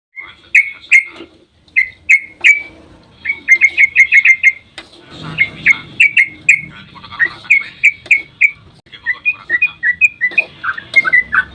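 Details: Sooty-headed bulbul giving a long dawn rapid-fire song, used as a lure to make other bulbuls answer: bursts of short bright whistled notes at a steady mid-high pitch, rattled in quick runs, then varied, slurred notes toward the end.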